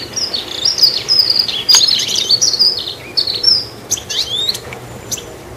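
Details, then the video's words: A goldfinch atop a tree gives scattered high chirps and short twittery notes at uneven intervals, some sliding downward, over a quiet background. "Chirpy Goldfinch On The Tree Top"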